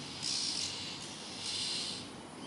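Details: Scared Oriental magpie-robin screaming, giving two harsh, hissing rasps of about half a second each, a second apart, over steady background noise.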